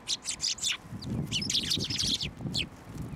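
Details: Sparrows arriving on a hand to take food at a Tenmangu shrine, 21 December 2023; dense, overlapping high chirps and twitters pour out over a soft low rumble.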